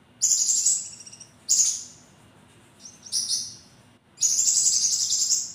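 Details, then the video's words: Javan kingfisher giving sharp, energetic calls: harsh, high, buzzy bursts of varying length separated by short pauses, the last one sustained for over a second. "Burung konin gacor nembak tajam"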